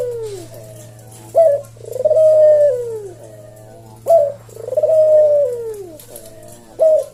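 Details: Measured 'kuk deruk' cooing by a puter jawa, a tutor and lure recording for cage birds: three evenly spaced phrases, each a sharp short note and a swelling, slowly falling coo, over a constant low hum.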